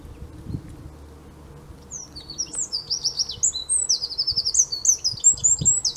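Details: Eurasian wren recorded on 5 March 2015 at De Kleuter, Uden. After two seconds of quiet it bursts into a shrill, rapid song of tumbling high notes and buzzy trills, with a faint hum and a few soft low knocks behind.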